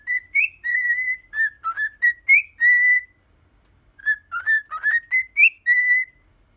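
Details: Pet cockatiel aged ten whistling the Hatsune Miku song "Poppippo": two clean phrases of clear notes that step up and down and finish on a long, steady tone, separated by about a second of silence.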